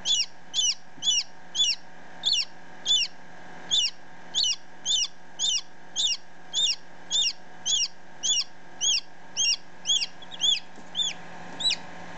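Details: Baby chicken chick just hatched, ten minutes old, with another chick one day old nearby, filmed close up: a long run of loud, high, downward-slurred peeps, nearly two per second and fairly even, over a low steady hum.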